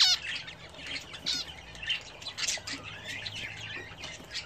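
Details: Hobby-bred house budgerigars near their bathing dish: a short burst of scratchy warbling and chirps that fades into softer twitters.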